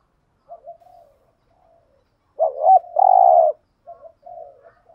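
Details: Spotted dove lure call, male and female birds, used to entice wild doves; soft low coos lead into a rapid wavering double note and a strong drawn-out coo, then quieter coos.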